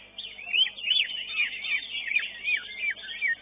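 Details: Greater green leafbird singing at a songbird contest: a rapid, varied stream of bright whistles and chattering slurs, rising and falling in quick succession without pause.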